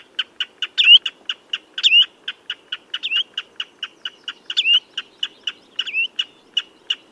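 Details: Common redshank producing a quick run of high clipped notes punctuated by louder, twisting whistles that swoop up then down every second or so, over quiet background.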